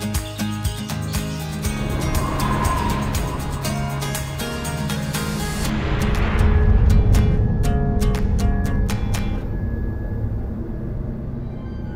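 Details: Background music with a steady beat and a low rumbling, vehicle-like sound; no animal calls are heard.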